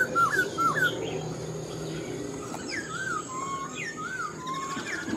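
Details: Black-throated laughingthrush, wild-caught and kept in a cage, sings spaced whistled phrases: quick looping notes at first, then slow dipping slurs every second or so, with a quiet room background.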